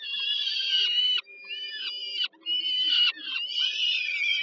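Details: Peregrine falcon chicks begging while the mother feeds them at dinner, at Żerań thermal power plant, Warsaw, Poland, 15 July 2022: loud, wailing, harmonic screams held for about a second each, with brief pauses between them.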